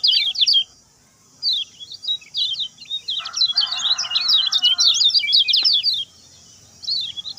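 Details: Lemon-bellied white-eye short fast master song for training birds: high rapid chirps, a pause, then a long twittering run with a brief lower buzzy noise in the middle.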